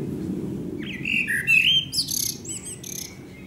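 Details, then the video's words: Singing Eurasian blackbird at sunset, Akersloot, the Netherlands, 30 March 2018; a rich fluting whistled phrase sliding up and down, ending in squeaky high twitters, over a low background rumble. "Singing Eurasian Blackbird"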